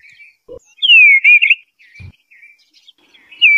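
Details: Eastern bluebird song of short, clear whistled phrases that slur downward, with soft gaps between them and a faint low knock.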